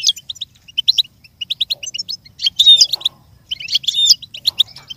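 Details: Goldfinch song for a learning and imitation session: clusters of crisp high twitters separated by short pauses, with two louder, fuller jangling bursts of mixed notes partway through and near the end.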